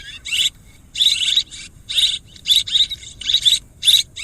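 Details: Swiftlet chirps in loud, raspy clusters with piping whistled notes inside, groups roughly every half second, faint hum underneath.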